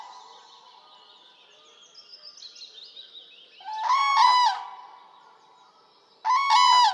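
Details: Common crane in Poland: soft, distant bugling and faint higher notes at first, then two loud, resonant trumpeting calls, each a rolling harmonic blast, the second arriving after a short silence.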